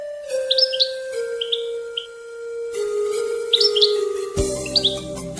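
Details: European goldfinch kept by hobbyists of a goldfinch association in Marrakech, Morocco: short bright twittering bursts of quick rising and falling notes, several phrases spaced about a second apart, over sustained background music tones.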